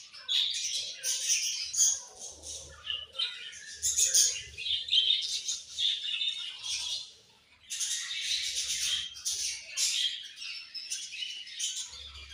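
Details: A group of budgerigars keeps up a busy high-pitched twittering and scratchy warbling, surging in bursts with a brief quiet gap midway and a soft low hum in the background.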